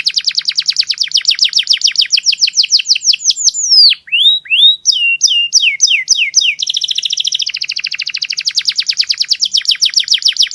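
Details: Canary masteran song, described as the clearest: fast descending trill notes give way to sweeping whistled slurs and separate up-down notes, then a dense high buzzing roll and renewed quick trills.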